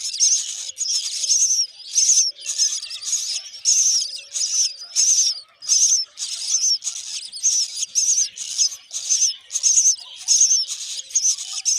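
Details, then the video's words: A mother Myna feeds termites to her hungry chicks, which give harsh, hissing, high-pitched begging calls in rapid bursts, roughly one and a half per second. "Mom bird Myna is feeding termite to hungry babies"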